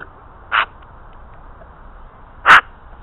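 An Australian magpie gives two short, harsh, dog-like barks about two seconds apart over a quiet background hiss.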